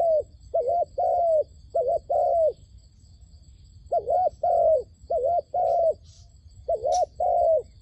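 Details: Trapping decoy dove cooing to bring down wild doves. Short-long pairs of soft, low coos come in bursts, broken by a silent gap of about a second and a half. Faint sharp ticks are heard near the end.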